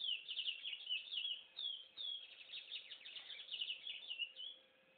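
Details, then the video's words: Chestnut-bellied seed finch (curió) singing a regional song type from Corumbaíba, Goiás, Brazil (Estrada de Ferro region): a continuous rich warbling phrase of high whistles and rapid trills, with a faint steady hum underneath. "Canto do Curió Xodó"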